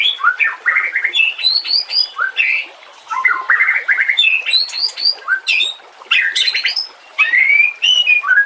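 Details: A white-rumped shama sings a master recording meant to tutor other songbirds: jumbled fast phrases of rising whistles, rattling chatter and high squeaky notes, broken by brief pauses.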